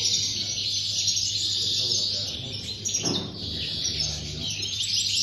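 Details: Competition-singing European goldfinch, Tarragona, 26 January 2020, first-place entry: a steady stream of bright, high twittered notes, briefly interrupted by a low thump and people talking quietly in the room.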